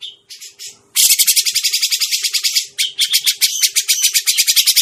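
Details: Grey-cheeked bulbul lure sound used for trapping birds: a few soft buzzy notes, then a loud, harsh, rapid chattering burst of many dry notes that runs on almost without pause, over a steady faint low hum.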